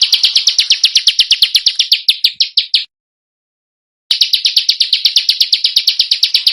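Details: Indonesian masteran for training contest birds, dense and harsh: a rapid chain of loud scratchy chips that drifts lower before stopping, then after a short silence returns at a steady fast pace.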